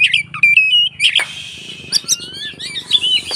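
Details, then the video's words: Oriental magpie-robin giving its fighting song to draw other magpie-robins into singing. Loud clear whistles and quick trills come with rasping notes and a long descending slur, over a soft low rumble. "SUARA BURUNG Kacer konslet TARUNG untuk PANCINGAN KACER agar ikut KONSLET"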